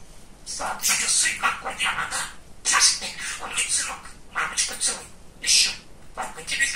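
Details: Talking male pet budgerigar indoors, bright scratchy syllables in bursts of imitated speech, pausing briefly around two and a half and six seconds.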